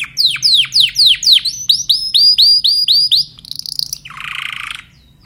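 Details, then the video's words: Timbrado canary voicing loud falling whistled notes, then a series of arched repeated notes, ending with a short buzzy rolled burst. "canary timbrado"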